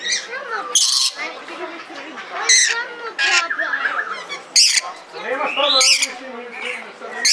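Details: Captive red lory at the Belgrade zoo, Serbia, 2022, giving repeated loud, rasping shrieks separated by stretches of busy, lower chatter and short rising whistled notes.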